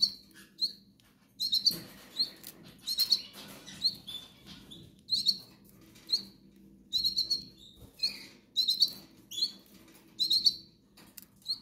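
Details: Hungry goldfinch young begging for food, with thin high squeaks and occasional lower buzzy notes coming in irregular pulses roughly every second, over a faint background hum.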